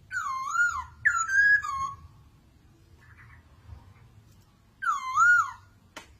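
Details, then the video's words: Masked laughingthrush, known locally as poksay mandarin, giving loud wavering whistled phrases: two phrases close together, a pause with soft faint notes, then a third swooping whistle and a sharp click at the end; low hum throughout. "BURUNG POKSAY MANDARIN Kumpulan vidio kicau"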